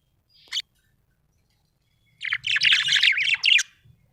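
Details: Budgerigar described as happy, giving one short high chirp, a pause, then a rapid warbling chatter of buzzy, wavering notes lasting over a second.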